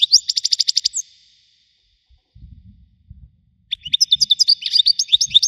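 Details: European goldfinch of the Widani type with a strong voice. A quick even trill of about ten chirps is followed by a pause with faint low rumbling, then a varied jangling twitter of high tinkling notes.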